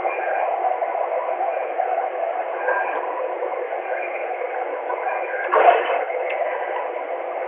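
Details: Steady band-limited hiss and muffled radio-like noise with one brief louder burst near the end, with no animal calls.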